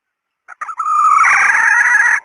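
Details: Female red junglefowl call used as a hunting decoy: a few short clipped notes, then a loud harsh drawn-out call held steady for over a second, rich and raspy in tone.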